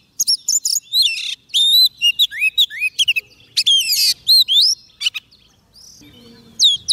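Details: Oriental magpie-robin in full song to lure wild birds: dense, varied whistles, looping slurs and raspy buzzes delivered rapidly, with a short quiet gap near the end before more sharp whistled notes.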